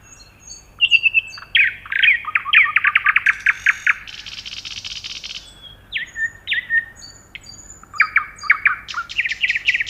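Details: Loud nightingale song full of variety: a fast series of rapid repeated notes, a harsh buzzy burst, then whistled slurs and sharp chirps in shifting phrases.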